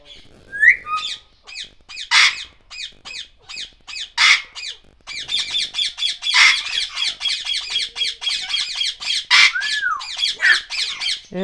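Grey parrot giving rapid, harsh, raspy squawks several times a second, broken by a couple of clear whistles, one rising then falling.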